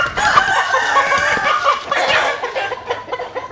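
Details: Domestic chickens crowing at dawn while sunning in the morning; loud harmonic crows fill the whole stretch, with overlapping rising and falling strained notes and no pause between them.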